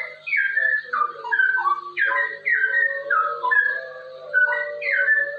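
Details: Straw-headed bulbul, a ropel (rapid) song used as a master recording to train and prompt other bulbuls to sing: loud, rich liquid whistled phrases, falling and warbling, delivered in quick bursts with a steady low tone beneath.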